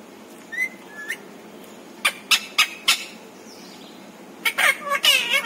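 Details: Pet parrot saying learned words; faint thin chirps first, then a quick series of four sharp squawky notes and a rough, tumbling vocal phrase at the end.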